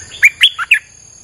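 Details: Lure recording of a streak-eared bulbul for attracting wild birds: one rapid phrase of four loud, clear chirped notes, the third lower than the rest, over a quiet background.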